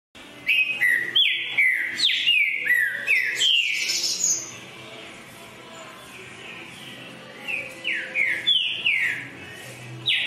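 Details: Green-winged saltator singing with great energy: bursts of clear, downward-slurred whistles repeated rapidly, a quieter pause, then another fast run of loud descending notes.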